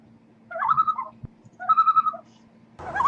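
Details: An unidentified bird gives two short, warbling, slightly hoarse calls around a mid pitch, about a second apart, with a faint low hum and a burst of noise at the end.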